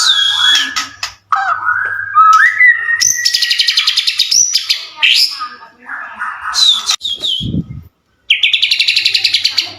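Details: White-rumped shama in full song to provoke others into replying: rich whistled phrases, rapid repeated chattering trills, and sweeping notes, with a faint low hum in the background.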